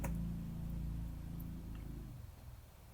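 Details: A low, steady hum with faint plucked or ticking sounds fades out after two seconds, with no animal voice.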